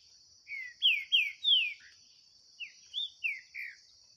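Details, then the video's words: Green-winged saltator in a 2023 singing dispute with a bird free in the bush. Four strong, downslurred, whistled notes, a pause, then four shorter, softer whistles, with a constant insect drone behind. "DISPUTA DO SÉCULO 2023 🔥TRINCA FERRO - SINISTRO X SOLTO NO MATO🔥"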